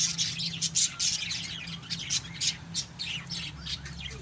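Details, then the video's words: Pet lovebirds squawking and chirping in quick, harsh high bursts, several calls per second, over a low continuous hum. "MGA ALAGA NAMING LOVE BIRDS"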